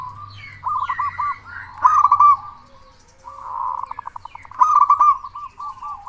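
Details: Zebra dove of local stock singing to provoke other doves into calling: rippling trilled coos in short runs, a softer purring stretch in the middle, a few faint higher bird notes and low hum behind.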